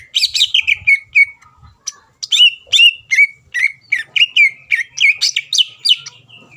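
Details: Greater green leafbird song meant to provoke competing birds into replying, given as bright descending whistled notes in quick succession, each sweeping down and levelling off, broken by short gaps; a faint low hum runs underneath.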